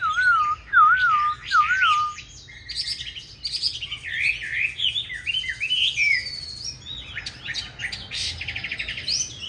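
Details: Green-bean-eyed Chinese hwamei giving its fighting song, meant to train other hwamei to sing smoothly. It begins with three looping whistles, then a dense jumble of varied whistles and rough notes with uneven pauses.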